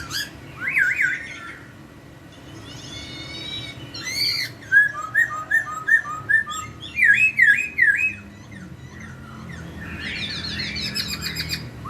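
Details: Melodious laughingthrush song meant to get a second laughingthrush answering: varied whistled phrases, a run of short rising whistles repeated about twice a second, and harsher buzzy bursts at the start and end.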